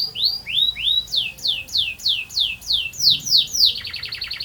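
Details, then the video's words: Canary song opening with rising whistled slurs, followed by a steady run of loud falling notes roughly four per second, ending in a fast rolling trill. "Burung Kenari Gacor Ngerol Panjang"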